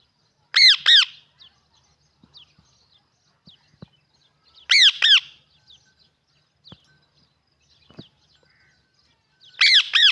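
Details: Pet talking parrot giving loud, harsh squawks in quick doubled bursts, each pair repeated about every four seconds, with soft clicks and taps in between.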